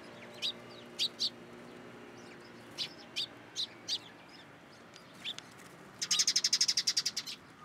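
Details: Sparrows feeding from a hand at a Tenmangu shrine, 14 April 2023: single high chirps spaced out, then a fast, even rattle of about a dozen rapid chirps near the end.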